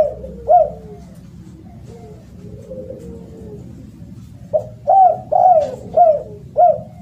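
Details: Spotted dove calling loudly, suited for teaching birds that have stopped singing: one coo, a quiet stretch of soft falling notes, then five clear hooked coos repeated about every half second.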